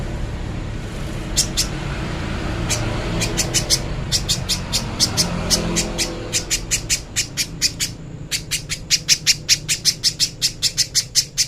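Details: Little spiderhunter master song for training birds: long runs of sharp, very high, clipped ticking notes that start sparse and speed up into rapid, even bursts, with a low murmur underneath early on.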